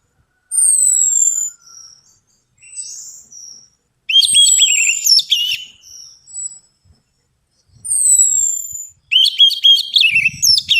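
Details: Orange-headed thrush song used as a lure to stimulate a reluctant bird to sing: high, clear, descending whistled phrases in separate bursts, some followed by quick, sharp, chattering notes, with short silences between phrases.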